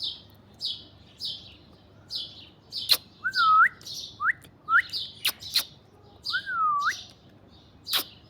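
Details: Alexandrine parakeet in an orange tree: a steady series of short, harsh, rasping bursts about every half second, mixed with loud clear whistles that dip and rise in a wavy curve, plus a few sharp clicks.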